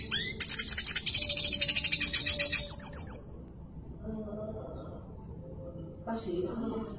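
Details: Red siskin singing a burst of rapid, high, buzzy twittering with quick pulsed trills for about three seconds, then falling silent; faint low sounds follow near the end.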